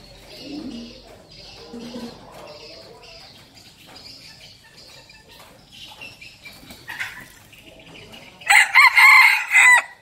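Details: Faint bird chirps and rustling lead up to a loud, harsh crow from a decoy red junglefowl in the final second and a half.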